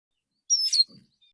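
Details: A male Oriental magpie-robin gives its relaxed lure song in the morning, calling other magpie-robins. It is a single high whistle followed by a scratchy twittering flourish, then a soft low rustle.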